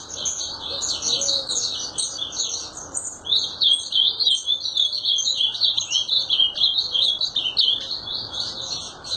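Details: Ultramarine grosbeak singing a long, rapid warbled song of twittering, slurred high notes, phrases running almost without pause, with a brief dip near three seconds before the song resumes.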